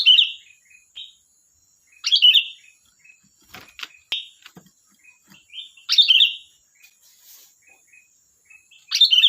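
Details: Sooty-headed bulbul in lively, chatty song: loud, bubbly whistled phrases repeated roughly every two seconds, with soft short notes between them and a few sharp clicks.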